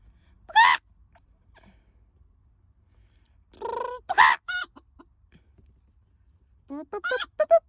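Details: Chicken letting out a few loud, harsh squawks separated by long pauses, ending in a short run of quick, higher clucks.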